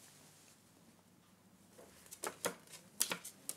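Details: Quiet room tone, then a few sharp taps and clicks in the final second and a half, with no calls.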